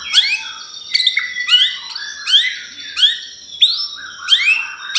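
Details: Pastol singing as a lure to provoke white-rumped shama: repeated sharp upward-sweeping whistles, about one phrase every two-thirds of a second, clean and bright with little background.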